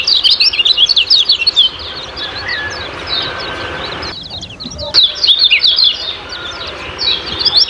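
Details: Kecial kuning ciak-ciak chirping for training captive birds: loud bursts of quick high twitters at the start and again near the end, separated by a quieter stretch with faint low background sounds.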